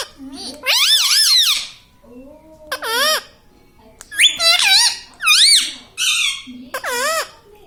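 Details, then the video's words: Pet parrot talking and repeating "mummy papa", its voice a series of bright, harmonic, wavering phrases that rise and fall, grouped in bursts with short pauses, indoors with a faint low hum. "Parrot talking mummy papa"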